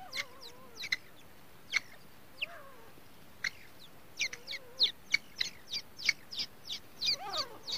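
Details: First-day grey francolin chicks: scattered high, falling chirps that quicken into a steady series toward the end, accompanied by soft low wavering whistles now and then over a quiet background hiss.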